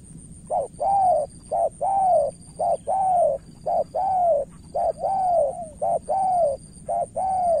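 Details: Spotted dove in Cà Mau, Vietnam, a decoy calling against an experienced rival: steady series of soft two-part coos, clipped opening note followed by a drawn-out arched note, roughly one phrase per second over a thin electronic whine.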